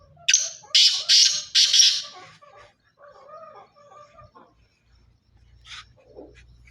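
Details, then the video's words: Pure Sindhi-strain black francolin calling: four harsh, grating, broadband notes in quick succession, the last three running together, followed by softer, lower warbling sounds and faint low rumble. "pure Sindhi Kale teetar Ki Awaaz"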